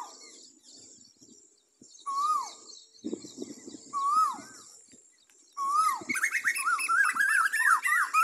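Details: Asian koel song: two slurred, rising whistles a couple of seconds apart, then a fast run of bubbling whistled notes, with thin high chirps from other birds throughout.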